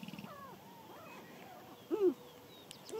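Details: Sharp-tailed grouse at a spring communal lek in Idaho, males dancing and competing for hens, give soft, bending coos and whines; one louder hollow coo near the two-second mark, with a few faint high clicks.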